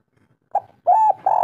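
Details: Local spotted dove giving kuk 3 song as a singing lure: a short soft coo, then a sustained hollow coo and the start of another low note.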